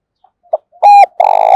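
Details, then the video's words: Decoy Spotted dove in daily cooing contest: faint low notes, a short coo, a loud sustained hollow tone and a harsh, rolling coo, very loud and slightly distorted. "Tiếng Chim Cu Mồi Gáy Đấu Dục Bổi Và Mồi Ức Chế Hót Theo Hàng Ngày"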